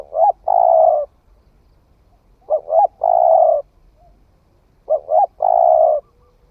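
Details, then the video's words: Young spotted dove newly started calling, tried out in the forest: three evenly spaced phrases, each two quick clipped coos followed by a long, full, steady coo, roughly every two and a half seconds. "Tiếng chim cu gáy mới nổi thử rừng"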